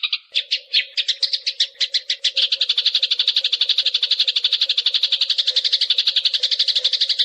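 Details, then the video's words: Eurasian tree sparrow, fast tight clear-voiced song used as a tutor for songbirds: spaced sharp chirps quickly speed up into a dense rapid rattle of about four notes per second, with a steady low hum beneath. "MASTERAN GEREJA || speed rapet, suara jernih"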